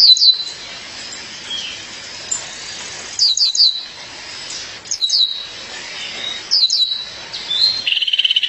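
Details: High, thin chirps from a female violaceous euphonia calling her mate come in repeated clusters of quick down-slurred notes roughly every one and a half seconds, ending in a short rapid trill.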